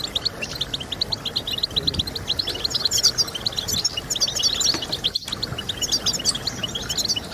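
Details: European goldfinch song for stimulating goldfinches to sing: dense, fast twittering of high tinkling notes with buzzy flourishes, briefly interrupted by a short click near the fifth second, steady low hiss behind.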